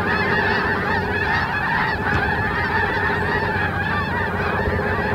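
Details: Flock of snow geese on Terranova marsh, Richmond, British Columbia, Canada, recorded Thursday 14 March 2019: a dense, continuous chorus of overlapping nasal honks and yelps from many birds, steady in loudness throughout.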